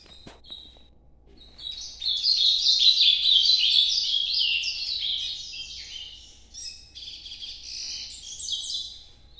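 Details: Ultramarine grosbeak in Nordeste style at night: a short note, then from about two seconds a loud rippling high warble continuing in waves with brief stutters before tailing off.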